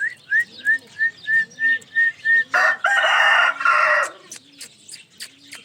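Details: Pet ringneck parrot giving eight short rising chirps at an even pace, then a long harsh screech in two bursts, then soft clicks. A low, repeating hum sits underneath.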